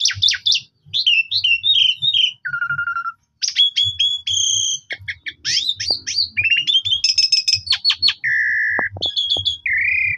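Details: Asian pied starling song used as a bait recording, played each morning to stir other starlings into singing their full repertoire. The song is a rapid, varied run of high whistles, buzzy trills and clear sustained notes with short pauses.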